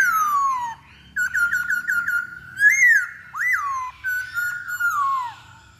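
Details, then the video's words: Masked laughingthrush lure song to prompt another bird to sing: a long falling whistle, a rapid stutter of short notes, then loud upswept and arched whistles with ringing overtones, separated by brief gaps. "Pancingan Poksay Hongkong Paling Ampuh"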